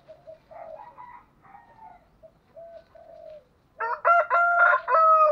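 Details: Spotted dove lure call for calling and stimulating a new decoy bird: soft, low cooing notes drift in and out, then a loud, harsh, strongly layered cooing phrase fills the final second and a half.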